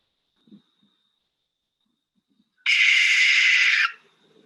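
A Barn Owl gives one harsh, hissing scream lasting just over a second, rasping and broad rather than hooted, with faint low murmurs before it.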